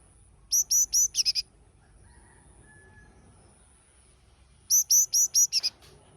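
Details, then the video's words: A yellow-cheeked tit gives two bursts of thin, high notes: three clear whistles, then a quick run of shorter ones, repeated after a few seconds' pause. "Yellow-cheeked Tit"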